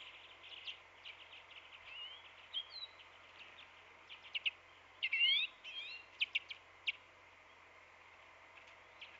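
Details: Black-capped Chickadee calling at a winter feeder in a residential backyard with birch and conifers in Manitouwadge, Ontario, on 9 December 2016. High, quick chips and short sweeping notes, loosely bunched and brightest midway, over a low steady hum.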